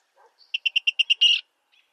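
Virginia rail giving six quick, sharp ticking notes in even rhythm, ending in a harsher, buzzier burst; a few faint low sounds come first.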